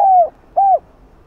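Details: A spotted dove gives two soft, hollow coos, each slightly falling and about a third of a second long, against a quiet background. This is a lure-style cooing recording meant to stimulate other doves to coo.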